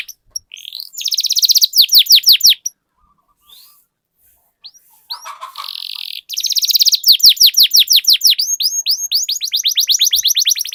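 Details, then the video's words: Canary lure song meant to get other canaries singing: dense trills and runs of descending whistles, a short pause with a soft lower sound, then long rapid rolling trills. "Suara Pancingan Burung Kenari Agar Cepat Gacor dan Ngerol, Masteran Suara Kenari Ngeroll Panjang"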